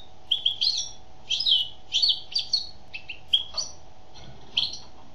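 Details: A female European goldfinch sings bright twittering phrases, fast clusters of chirps at first, then sparser separate notes with short gaps, above a faint constant hum.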